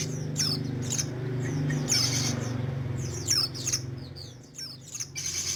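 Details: Sogon singing actively: a series of sharp, high, downward-sweeping notes, repeated irregularly, over a loud low droning hum.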